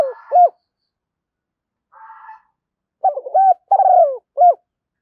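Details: Spotted dove decoy call used to draw in wild doves: a clipped coo, a faint murmur, then one full mellow phrase of stuttered notes, a rolling croo and a closing clear coo.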